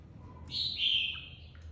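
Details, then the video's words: Competitive song of a caged red-whiskered bulbul flock leader recently taken from the aviary: a strong, rich whistled phrase dipping in pitch, followed by two brief softer notes. "Chào mào đầu đàn mới tách avi ra ( chào mào hót đấu)"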